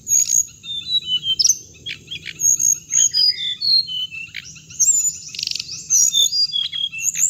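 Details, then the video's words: Playback meant to draw hồng hạnh birds into traps; rapid chattering song of clipped chirps, whistled glides and a brief buzzy stretch, almost unbroken, accompanied by a persistent high whine and low rumbling. "tiếng chim hồng hạnh âm thanh để bẫy loa"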